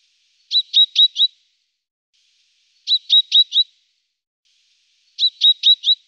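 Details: Great tit calls, slowed down: three bursts of four quick buzzy notes centred high in pitch, each burst about a second apart from the next group, repeated roughly every two and a half seconds over silence.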